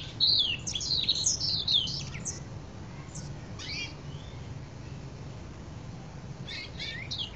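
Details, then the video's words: Canary singing a varied, loud song in bursts of bright, high, rapid trills and chirps, with pauses between phrases, over a low, steady hum. "Burung Kenari bayak isian"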